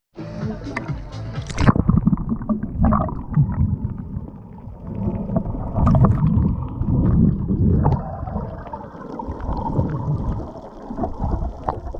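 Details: Rumbling low-frequency water and boat noise with gusty wind and faint music, no animal voices present.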